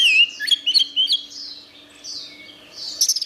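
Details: Short phrase from an orange-headed thrush: clear looping whistles at the start, softer high warbling in the middle, ending with a bright fluttering trill, a thin steady hum behind.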